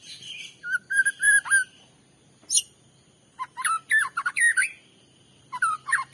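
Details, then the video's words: White-rumped shama song used as a lure to provoke and agitate another shama: a sustained whistled note, then bursts of short varied whistles and sharp high notes separated by quiet gaps, over faint low hum. "Pancingan Murai batu bikin murai emosi"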